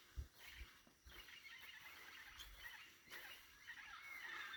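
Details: Dawn bird chorus at Tikal National Park, January 2025, about 6:00 AM: many overlapping chirps and chatters, one clear whistled note sweeping upward near the end, with faint low thumps and background hiss.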